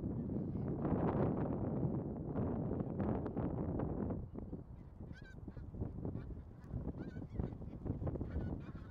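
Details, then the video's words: A big flock of migratory bean geese makes a loud wall of overlapping honks and clamour, easing slightly midway, with clearer, higher harmonic honks standing out near the end. "떼거리 큰기러기"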